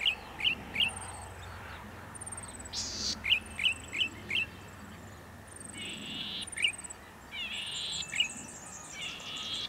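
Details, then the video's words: Male Golden-headed Cisticola in breeding season, Pitt Town Lagoon, NSW, October 2017, singing near dusk: quick series of crisp clicking notes broken by several harsh buzzes, with thin high whistles of other birds behind. "Feeling chirpy – Golden-headed Cisticola at Pitt Town"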